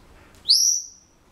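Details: Indoor pet Senegal parrot gives one clean, high, piercing whistle that slides up and holds steady for about half a second before fading.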